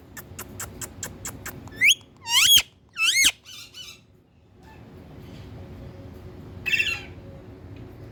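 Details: Indian talking parrot: a fast series of sharp clicks leads into three strong arching squeaks. Softer chatter and a short harsh burst follow after a pause, all indoors.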